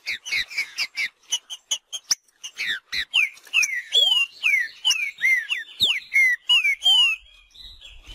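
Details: Wild green-winged saltator in its marcheando song style: a rapid run of short clear whistles, then longer slurred notes sweeping down and up, loud and close, ending in quiet.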